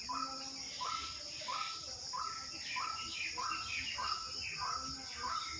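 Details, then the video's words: During the rainy season an unknown bird repeats a short, rising whistled note at a steady pace, roughly twice a second, partly masked by dense hissing background noise and a brief murmur of voices. "Unknown Bird sound on a rainy season"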